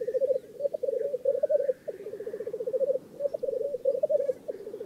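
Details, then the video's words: Loud black grouse bubbling at a lek in northern England. Quick rolling low phrases repeat with brief gaps, and only faint hissing is heard behind them. "Black Grouse Lek"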